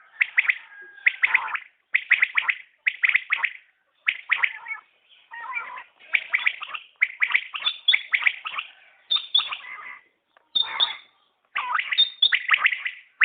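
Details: Common quail calls in a long sequence of rapid triple-chirp phrases, often overlapping, with high thin whistles slipping in later.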